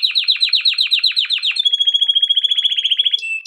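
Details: A male canary sings a training song. Strongly accented, rapid descending notes repeat about five times a second, then give way to a finer, faster high trill that ends in a brief whistle.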